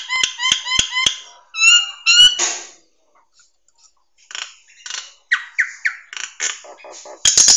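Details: Nias hill myna song used as a training recording for songbirds: sharp harmonic notes in a quick opening burst, a pause, then varied squawky and whistled phrases ending in a harsh rasping burst.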